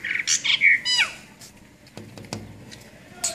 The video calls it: Brahminy Starling